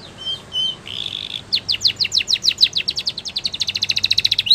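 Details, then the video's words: Spanish Timbrado canary, training song: two short rising whistles, a brief buzzy note, then a long accelerating run of quick falling strokes merging into a rapid even trill. "The Best Spanish Timbrado Song For Training Your canary !! Make Your Canary Singing Again"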